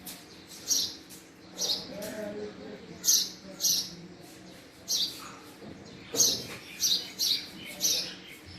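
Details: Male house sparrow calling with loud, harsh chirps, some single, some in quick pairs and triplets, separated by short gaps; quiet low hum behind.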